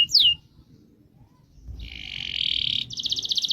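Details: Caged canary giving a single sharp downward-swept whistle, a pause, then a buzzy sustained trill and a quicker pulsed roll of its rolling song, fairly quiet against low background noise.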